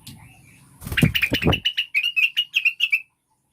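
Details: Caged blue-winged leafbird sound used as a lure to make birds sing energetically: after a brief low rumble, a rapid run of about ten short, bright, chirping notes at a steady high pitch over roughly two seconds.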